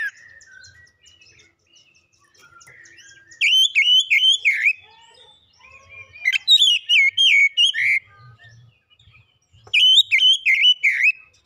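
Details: Oriental magpie-robin gacor song, meant to coax a bird into singing: three bursts of fast, repeated bouncing whistled notes, each about a second long, separated by quiet stretches with faint soft notes.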